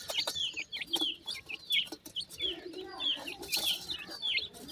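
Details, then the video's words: Baby Sindhi partridge chicks in Pakistan give clear, high descending peeps, roughly two each second, with several birds overlapping and faint rustling in the background. "the melodious voice of a baby sindhi partridge,chicks birds teetar"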